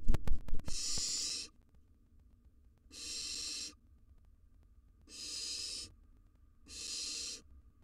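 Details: Wild barn owl nestling in a nest box repeating harsh, airy hisses roughly every two seconds, four in all, each close to a second long, with scraping noises at the start.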